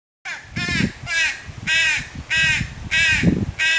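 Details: Crow fledgling screaming to its mother for food, a run of six harsh, nasal caws about every half second, each slightly arched in pitch, with low rumbling noise between calls.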